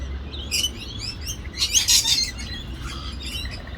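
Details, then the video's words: Parrots fighting in Australia: a few short high chirps early on, then a burst of harsh, broadband screeching squawks in the middle, fading to scattered thin calls. "Parrots fighting"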